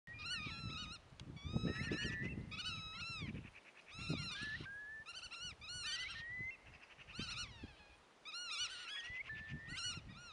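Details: Godwits calling: bursts of nasal, strongly harmonic, arched notes repeated in quick series, mixed with short rising whistles, over low rumbling background noise.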